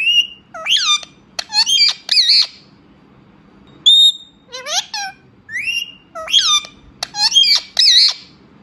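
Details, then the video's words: A pet Indian ringneck (rose-ringed parakeet) talks, chattering in shrill, squawky phrases with whistled up-and-down inflections, delivered in short bursts between pauses, over a faint indoor hum. "Cute talking Indian ringneck parrot"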